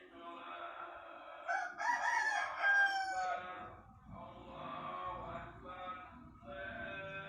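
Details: Pelung chicken, whose crow lengthens and grows more melodious as it matures, crowing in a long harmonic phrase that peaks near the middle, then continues with quieter wavering segments broken by short pauses, over low background noise.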